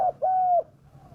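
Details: Spotted dove voice used as a lure to draw wild doves down: one short coo, then a longer, steady, slightly falling coo, in a quiet setting.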